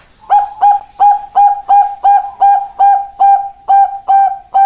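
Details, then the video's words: Zebra dove of the Bangkok type, a female summoning a male, used as master and lure: a loud, regular string of about twelve bright coos, each starting with a small upward flick, nearly three per second. "Master dan Pancingan Perkutut Bangkok"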